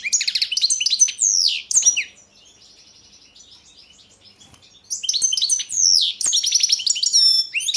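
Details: European goldfinch of the Balkan subspecies Carduelis carduelis balcanica, a 2022 song championship entry: rapid high twittering and tinkling phrases with buzzy notes, a quieter buzzing pause midway, then renewed bright chattering trills.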